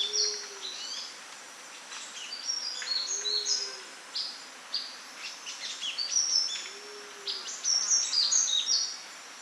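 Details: Sunbird in natural habitat delivering a busy, high-pitched jumble of sweet chirps and sharp tweets in quick succession, with a soft low hoot repeated in the background.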